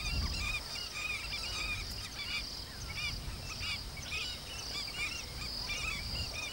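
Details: African skimmer parents calling in alarm while protecting their first chicks of the season, only days old, from a monitor lizard; many short, sharp, arched yelps overlap rapidly over a steady high insect-like hum and low rumble.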